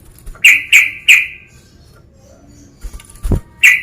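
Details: Sooty-headed bulbul male calling a rival: three quick sharp notes in a row with short buzzy tails, a quiet spell, a soft knock and thump, then one more sharp note at the end.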